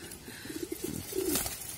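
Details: Golla pigeons, a domestic breed kept for laying and rearing chicks, in 2022: a rapid run of short pulsed coos, then one drawn-out throaty coo, followed by a brief burst of noise.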